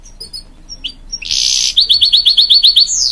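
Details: Hybrid goldfinch song meant to encourage young chicks: a few thin chips, then a harsh buzzy burst followed by an evenly repeated run of about a dozen sharp trilled notes, ending in a falling whistle.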